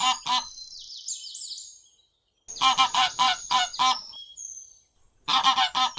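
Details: Wild duck, a species found near ponds, swamps, rivers and streams, gives harsh, nasal honking calls in bursts of three to five, about three or four per second, with short quiet gaps and a few higher whistled notes between.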